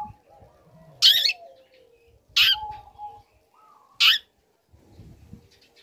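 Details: A young long-tailed shrike sings actively to incite other shrikes to respond. Three loud, rasping bursts sound roughly every one and a half seconds, separated by quiet gaps with faint low tones.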